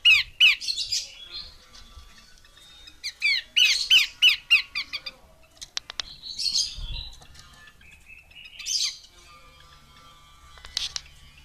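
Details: Female Horsfield's babbler calling in short bursts of rasping, descending notes, three per second, interspersed with softer hissy sounds and quiet stretches.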